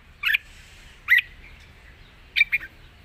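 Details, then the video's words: Red-whiskered bulbul, wild-style long-phrased song: three short, spaced bursts of sharp chirped notes separated by quiet gaps, with a faint low background rumble. "เพลงป่าๆ สำนวนยาวปากเบา ฟังเพลิน#นกกรงหัวจุก"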